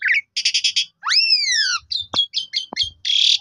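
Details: Asian pied starling song used as a lure to make other starlings sing; rising-falling whistled slurs, a burst of rapid buzzy notes, and short chirps with a harsh rasping ending, plus faint low knocks.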